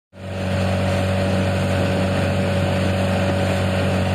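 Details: An engine starts and runs with a steady droning hum and tonal whine throughout; no animal calls are audible.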